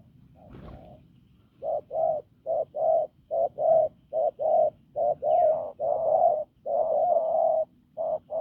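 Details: Wild-caught field spotted dove giving a hoarse, strong cooing: after a brief low knock, a rapid run of about fourteen short, low, hollow coo notes, some drawn longer, in uneven rhythm against a quiet background.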